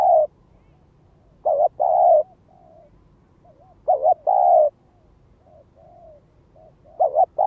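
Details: Spotted dove used as a lure bird, giving its cooing call: a short double note then a longer mellow coo, repeated about every three seconds, with softer trailing coos between phrases.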